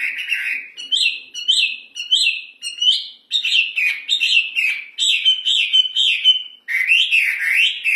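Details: ['Loud hwamei song made of repeated, rhythmic whistled notes, each rising then dropping, delivered in quick succession with short pauses and a final burst of warbled slurs.']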